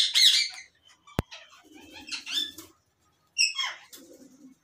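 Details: In a 2022 breeding setup for ringnecks in Pakistan, a loud shrill squawk opens, followed by a sharp click, quieter chattering notes, and another harsh squawk after a brief silence.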